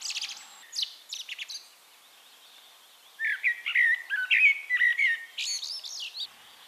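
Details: A Eurasian blackbird (Turdus merula) in Castricum, the Netherlands, sings a mellow, fluted warble ending in a squeaky high twitter, after a few sharp high chirps at the start.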